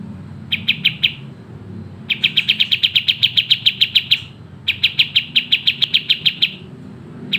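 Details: Sooty-headed bulbul singing in a lively, fast, tightly packed style used as a training recording: three bursts of rapid, evenly spaced sharp chirps, about seven per second, over a low steady hum.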